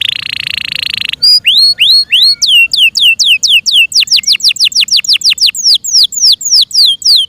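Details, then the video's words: Yorkshire canary kept at home sings a buzzy trill, then a long series of rising whistles shifting into rapid descending whistled sweeps, steady and loud. "THE BEAUTIFUL SOUND OF FI YORKSHIRE CANARIES"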